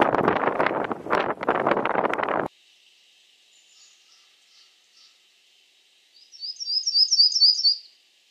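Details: Myrtle warbler song: loud rumbling bursts of noise at the start give way to quiet, then a bright, rapid trill of high, evenly repeated chirping notes lasting about a second and a half.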